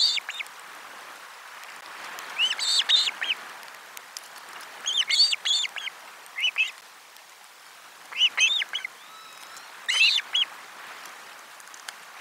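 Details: Osprey at a nest on a live camera, 12 July 2022, during a lunchtime fish delivery: bursts of sharp, arched, whistled chirps given in clusters about every two to three seconds, with quiet gaps between.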